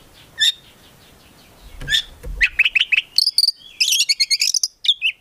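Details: Oriental magpie-robin, a kept songbird, starting with faint scattered notes over background hiss, then a rich burst of buzzy trills and fast repeated chirps.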